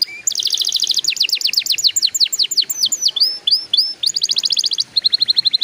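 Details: Lure song of a canary for young canaries: quick rolling trills of bright notes, slower downslurred whistles, then steady rapid chips repeated at an even pace.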